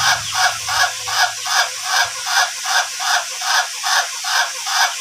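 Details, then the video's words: Ayam Ketawa (laughing chicken), duration type, being trained to crow long, up to three minutes: an unbroken run of rhythmic laughing syllables, about two and a half per second, over a steady loud hiss. "AYAM KETAWA TYPE DURASI KOKOK PANJANG"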